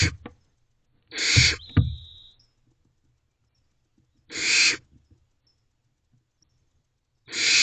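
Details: Barn owl owlets in a nest box at dawn, 5:18 am on 14 May 2023, giving harsh, rasping hisses of about half a second, spaced irregularly with long silences, plus a short thin whistle and faint scuffling.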